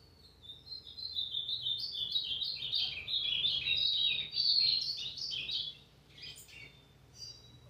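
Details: A brownish-plumaged (pardo) Ultramarine grosbeak (Cyanoloxia brissonii), 29 August 2023, sings a rich, warbled phrase of about five seconds that wavers up and down, then a few short sharp notes, over a faint low hum.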